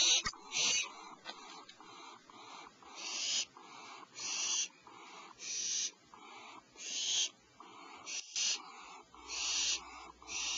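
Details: Owl nest before dawn, 04:47 PST, mother delivering fresh prey to owlets: softer, distant-sounding hissed screeches come in evenly spaced bursts roughly every second, with fainter rasping notes between them.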